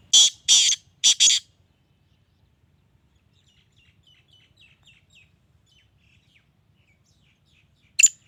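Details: Sindhi black francolin (kala teetar) giving four loud, harsh, rapid call bursts, then near silence with faint small-bird chirps, ending with one sharp note.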